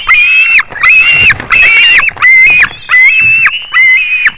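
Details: A white-tailed eagle recorded on 21 July 2019 at 22:10 gives six quick, shrill, slightly wavering harmonic calls about half a second long, closely spaced, over a faint low rumble.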